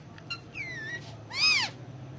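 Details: Pet Indian ringneck parakeet indoors on pillows, talking in Urdu/Hindi. Short whistled harmonic notes, then a gliding tone falling and rising, followed by a loud arched, nasal syllable; quiet room.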